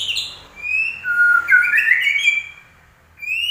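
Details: White-rumped shama gives long rich whistled notes sliding up and down, with short high chirps at the start and end of the phrase, against a quiet low hum.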